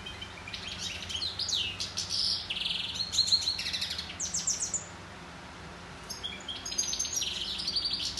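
A goldfinch sings a fast, tinkling twitter of high notes and buzzy trills in two long runs, with a brief pause near the middle.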